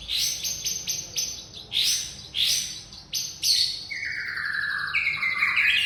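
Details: Young wild white-rumped shama singing in forest: loud rapid bursts of rich chattering notes, then long falling and rising clear whistles sliding into warbled phrases.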